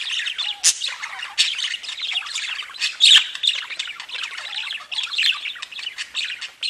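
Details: Many pet budgerigars sing at once, giving an unbroken, buzzy chattering warble of rapid twitters, with occasional harsh squawks cutting through.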